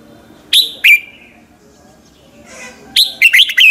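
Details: Red-whiskered bulbul in morning song, used as a lure bird to train others: two crisp, falling whistles, a pause with a soft rustle, then a rapid run of four or five bright chirpy notes.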